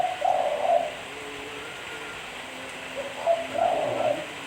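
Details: Low, rounded coos of a spotted dove: two short phrases of several notes each, separated by a pause of about two and a half seconds, with constant background hiss.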